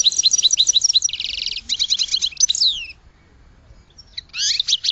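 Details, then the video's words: Goldfinch song: a fast, high, liquid twittering run with a dense buzzy trill and jingling phrases, a short pause, then another bright burst of twitters. "Goldfinch Song to Educate Newcomers to Their Call"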